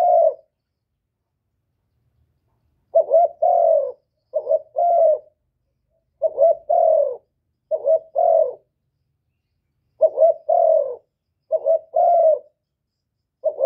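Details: Spotted dove calling, recorded without background noise to provoke and stimulate kept doves; rapid series of low, hoarse two-part coos, phrases following closely one after another every second or so, nothing else audible.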